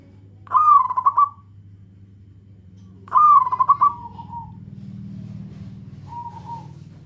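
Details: Calling to companions, a local zebra dove gives two loud, rapid rolling phrases about two and a half seconds apart. The second trails into a lower coo, and a soft level coo follows later.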